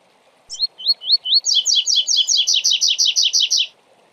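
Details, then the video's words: A double-collared seedeater sings the long 'tui tui zel zel zel' song: four clear rising whistles, then a fast run of about a dozen buzzy, down-slurred notes. No other sounds intrude. "Coleiro Tui Tui Zel Zel Zel Canto Longo"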